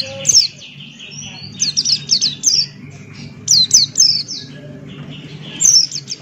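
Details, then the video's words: A male Buxton's white-eye in open-beaked 'ngalas' song. Bursts of loud, very high downslurred chirps come in quick groups of three or four, separated by softer twittering, over a faint low hum. "Burung Pleci Buxtoni Gacor Ngalas Buka Paruh"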